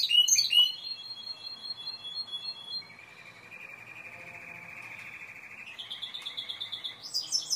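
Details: Timbrado canary singing: a bright high opening flourish, then a long steady rolled trill sliding down to a lower buzzing roll, ending in a rising higher trill.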